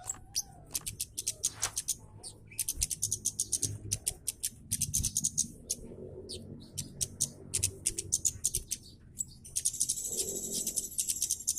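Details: Scarlet-headed flowerpecker, a red-capped caged bird, giving rapid, tightly delivered harsh call notes used as tutor audio for training cage birds; dense bursts of sharp high ticks in runs, with low background rumble and a faint voice-like sound.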